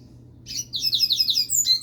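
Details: Coleiro, a double-collared seedeater kept at home, delivering a rapid phrase of high buzzy chirps that speeds into sharp whistled notes near the end, with steady low hum underneath.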